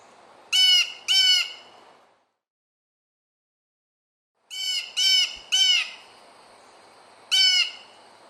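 A Blue Jay gives harsh, nasal 'jay' calls: a pair, a pause, then a quick run of three and one more, each rasping and slightly downslurred.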